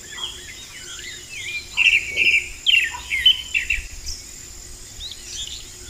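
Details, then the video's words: Vermilion flycatcher singing actively in the wild: short bright chirps and twittered notes, some doubled, scattered between two and four seconds, with other faint thin calls and a steady high insect hiss behind. "BURUNG KICAU"PAPA MOSCOS"(KICAU MANIA)Gacor di Alam liar"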